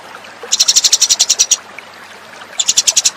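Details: House sparrow lure call: quick runs of bright, metallic chirps, about eight a second, one run of a dozen notes, a pause, then a shorter burst.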